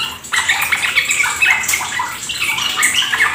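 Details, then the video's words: Sooty-headed bulbul song used as a lure for ropel singing; after a brief quiet start, a burst of rich, rapid warbling and chattering notes continues with a water-trickle background. "Pancingan trucukan agar ikut ropel gacor"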